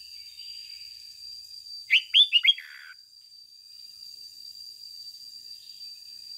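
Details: Red-whiskered bulbul used as a lure, a single ché-style phrase of four quick, ringing notes ending in a downslurred trail, amid a faint hiss and a constant high tone.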